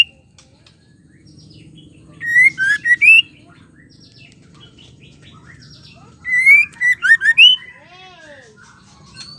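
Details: Female white-rumped shama calling to provoke males into singing, two loud phrases of rising whistled notes with bright harmonics, each about a second long and four seconds apart, with softer chirps and a low background hum.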